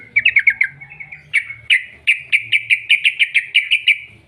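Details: Long rapid 'ropel' song of a sooty-headed bulbul used as a singing lure; a quick run of notes, two lone chips, then a steady string of about a dozen evenly repeated bright notes.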